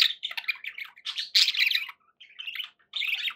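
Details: Captive budgies warbling loudly in rough, buzzy, rapidly varying notes, with short gaps between phrases.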